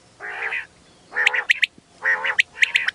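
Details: Female quail voice used for quail hunting in wheat: nasal, buzzy harmonic calls alternate with quick bursts of sharp high notes grouped in threes, repeating steadily across the recording.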